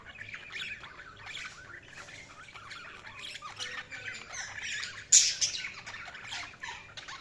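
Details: Budgies chattering in a soft, continuous stream of scratchy chirps and warbles, with one sharper, louder squeak just after five seconds and a low hum underneath.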